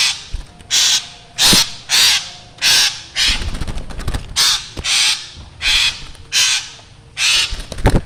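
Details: Black drongo calling busily, its voice called eerie; a steady series of about ten loud, scratchy rasping calls, each roughly half a second long, coming every 0.7 seconds or so.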